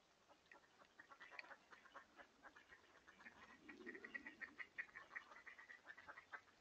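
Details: Mallards in January give quiet, rapid quacks and chatter in an irregular run of short notes, with a low murmuring sound partway through.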